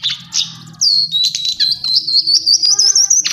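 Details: Brief lesser shortwing song: a sharp opening note, then a long, fast, slightly rising trill of bubbling high whistles delivered without pause.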